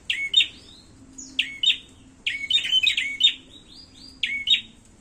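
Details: Prinia, called prenjak klawu or prenjak kepala merah, fighting: repeated sharp chirps with downward-bending buzzy notes, given in bursts of two or three, separated by short pauses.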